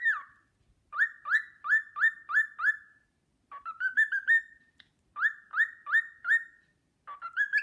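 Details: Whistling cockatiel performs the Sportpalast Waltz for an admiring fellow cockatiel; repeated upswept whistled notes in fast groups, alternating with a smoother stepped phrase, steady and clear against a quiet room.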